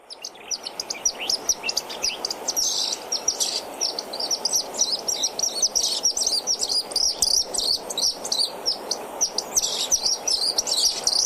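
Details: Pied Kingfisher, one of Africa's loudest and most talkative kingfishers, giving loud, high, rapid twittering chirps in fast excited bursts, almost continuous, over a soft background hiss.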